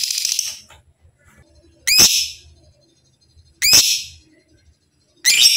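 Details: Lovebird giving long loud harsh trills used to train kept lovebirds: three bursts about every 1.7 seconds, each opening with stacked rising notes and then fading over roughly half a second.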